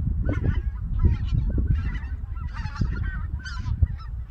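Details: Flock of wintering white-fronted geese leaving Togo Reservoir, Cheorwon, Korea, at morning for breakfast on the Cheorwon Plain. A busy chorus of many overlapping, cackling honks, some rising and falling, over constant low-pitched background rumble.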